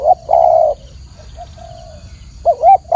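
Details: Spotted dove (tekukur), clear-voiced, training recording: a short coo and a long steady coo, a quiet gap with soft murmured notes, then a wavering double coo starting the next phrase, with faint hiss.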